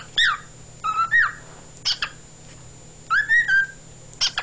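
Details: Pet male cockatiel song, February 2011, indoors: sharp bright chirps alternating with sliding whistled notes that rise then flatten, delivered in separated bursts over a constant faint background hum.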